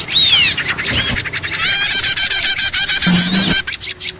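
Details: Lure sound for catching small birds: excited, crowded twittering with sweeping squeaks and rapid chirp trains, ending abruptly and then fading to softer calls.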